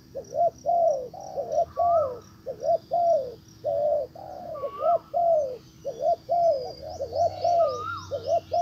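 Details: Caged decoy spotted dove calling to pull in a wild dove that pays no heed and moves off; repeated low rolling coo phrases with short pauses, occasional thin whistles, a burst of high ticking notes near the end.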